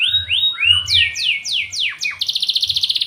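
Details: Singing canary, song meant to prompt other canaries into song: a few rising whistled notes, then quick descending sweeps about four per second, finishing with a rapid, even, buzzy trill; faint low hum in the background.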